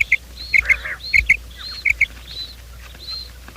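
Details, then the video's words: Quail sound played in the morning to attract quails for trapping: crisp sharp chirps in doublets, one short nasal note, and thin high whistles trailing off, over a quiet hum. "Bater ki awaaz , batair ki subbha keliey awaz 2025 , batair ki awaz , bater ka awaaz, quail sound"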